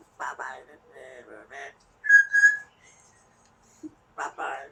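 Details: Pet Amazon parrot indoors in a small room: soft mumbled chatter, then a loud, clear two-part whistle on a steady pitch, followed by more muffled vocal sounds and quiet room noise.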